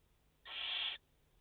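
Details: Single breathy, rasping hiss lasting about half a second from a barn owl nest in France holding a mother and four chicks, recorded 30 August 2021, with a faint low hum around it.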